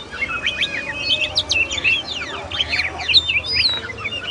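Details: Oriental magpie-robin, called kacer, delivering a rapid varied song of bright whistles, downslurred sweeps and short chirps, continuous throughout over low steady background noise.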